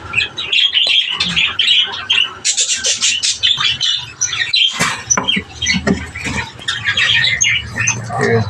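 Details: A captive breeder flock of budgerigars chatters nonstop: overlapping scratchy warbles, chirps and sharp squawks, high-pitched and continuous, with a few louder bursts.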